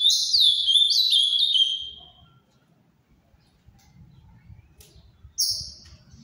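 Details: Sweet, quickly repeated falling whistles from a captive-bred Ultramarine grosbeak in the Paraná style, lasting about two seconds, then quiet with one later high note.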